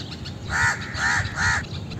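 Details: Indian crow calling three times: harsh, grating caws of equal length with short pauses between them, over low background hum.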